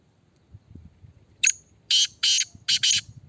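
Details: Black francolin kept in a red cage for a calling test. One phrase sounds: a sharp tick, then four grating, buzzy notes in a rapid rhythm over soft background noise.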